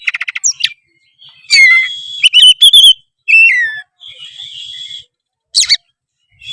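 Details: Oriental magpie-robin song in the gacor style: a quick stuttering trill, then loud whistled phrases with rising and falling slurs, separated by quiet gaps and softer whistles.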